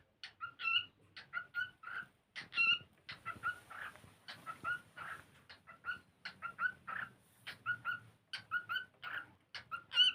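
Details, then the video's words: Cockatiel singing while playing, a long string of chirps and short whistled notes with harsher buzzy syllables mixed in, notes coming in clusters of two or three. "cockatiel singing / playing"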